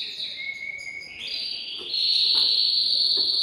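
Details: A male canary sings to stimulate a female for breeding, holding long pure whistled tones that step upward in pitch, with some background hiss.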